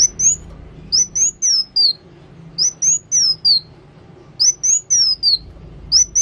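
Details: Energetic song of a kolibri wulung sunbird, delivered in rapid phrases of high piercing whistles that rise then fall away, four notes per burst, with brief gaps between bursts.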